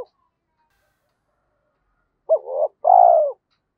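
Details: Caged decoy spotted dove in the thổ sấm voice style, used to provoke wild doves. After a silence, one soft phrase: a brief stuttered coo then a longer vibrating croo that falls away.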